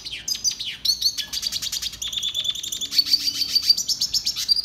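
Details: Red siskin song used for song training, a rapid high twitter mixing buzzy trills and clear whistled notes, continuous throughout.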